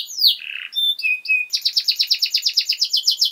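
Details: Canary song meant to train young birds: a falling slur and buzzy note, several short flat whistles, then a fast rolling trill of evenly repeated high notes.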